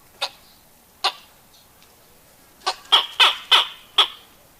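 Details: Grey Go-away-bird, an arid-savannah turaco usually in small groups, giving harsh, nasal, grumpy yelps: two spaced calls, then a quicker run of five over about a second and a half.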